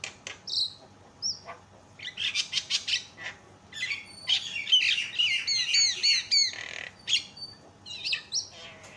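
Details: Javan myna calling loudly, used as a lure to provoke other mynas into calling: harsh rasping bursts, then a run of bright downslurred whistles repeated in quick succession, with sharp high squeaks in between.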